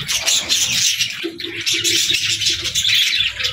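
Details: Several pet budgerigars playing in the evening, a dense, continuous chatter of scratchy warbles and chirps packed high, with faint low murmurs beneath and no pauses.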